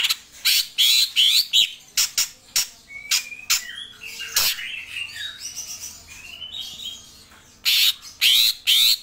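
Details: Greater green leafbird giving loud, sharp notes in clustered bursts, with whistled slurs and rising phrases in between, then a final burst of strong repeated notes.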